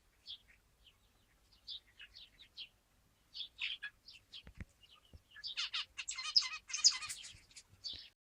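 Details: Zebra finch song: short squeaky chirps scattered at first, then a dense run of rapid buzzy, nasal, harsh notes building loudest near the end.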